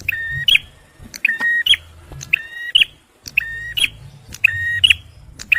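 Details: Male bar-winged prinia singing, a recording used for luring birds and prompting stressed ones: a flat, buzzy, harmonic-rich note ending in a sharp bright chip, repeated about once a second, with low background rumble.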